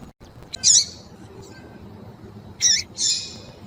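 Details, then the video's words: Female Double-collared Seedeater (coleiro), described as in heat and calling a lot, kept by Brazilian breeders to excite males for tournaments; three short, harsh, high squawking calls, one early and two close together near the end, over a quiet background. "FÊMEA DE COLEIRO FOGOSA PIANDO E CHAMANDO MUITO QUENTE"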